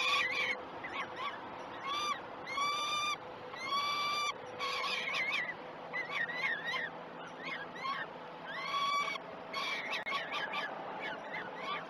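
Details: Peregrine falcons at breakfast on the Great Spirit Bluff nest cam, June 2018; rapid stuttering, up-and-down chattering notes and short rasping calls in loose bursts, with a faint steady hum.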